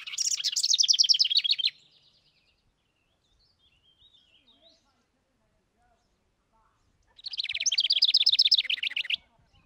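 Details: Wren song: two loud, rapid bursts of high trilling notes, each about two seconds long, separated by a five-second pause with only faint background chirps.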